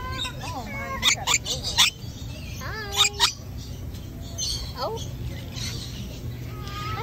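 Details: Rainbow lorikeet parrot saying hello, with sharp clicks, whistled rising and falling notes and harsh bursts over a steady low hum, a short burst near the middle followed by softer squeaky notes.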